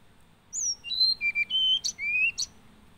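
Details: Hill blue flycatcher singing one sweet phrase of high, clear whistled notes that step downward in pitch, followed by two sharp bright accents and a short rising final whistle. Background quiet.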